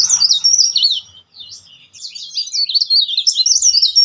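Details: A leaf warbler sings a dense, loud, shrill stream of rapid twittering notes and rolling trills.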